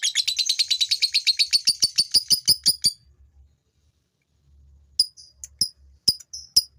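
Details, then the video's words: Ngekek long chatter from a male fighter lovebird, used to excite females into chattering: about three seconds of fast, harsh, high repeated notes that slow into spaced clicks, then a pause and a few scattered sharp ticks. "SUARA LOVEBIRD FIGHTER JANTAN NGEKEK INI ,,!!! BIKIN LOVEBIRD BETINA IKUT NGEKEK"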